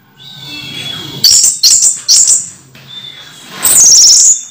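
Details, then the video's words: Moulting orange-headed thrush kept in a cage, still singing: three quick shrill high bursts, a quiet gap, then one longer rapid high warbling phrase. "Anis merah mabung masih teler"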